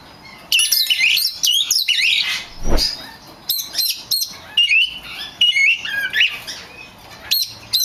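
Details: Oriental magpie-robin song aimed at provoking other magpie-robins: varied phrases of clear sliding whistles and scratchy chatter, broken by short pauses, with one low thud partway through.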